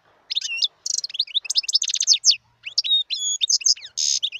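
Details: Song of a wild European goldfinch: a dense, fast jumble of bright chirps, trills and sweeping notes, with one harsh buzzy note near the end, almost continuous over four seconds.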